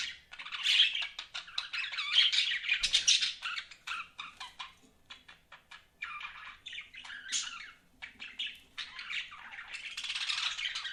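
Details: Budgies chattering indoors in uneven bursts of scratchy chirps and squawky notes separated by brief quiet gaps, with a soft thump partway through.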